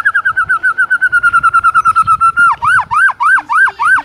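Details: Morning lure of White-rumped shama (murai batu) song for training a silent bird to sing: a fast, steady series of rapid wavering whistles, then slower, louder arched notes repeated about twice per second.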